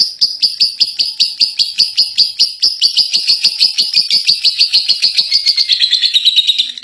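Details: Prize-winning lovebird delivering ngekek, the long chattering song: evenly spaced sharp, high chirps in a quick rattling series that speeds up and slides slightly lower toward the end.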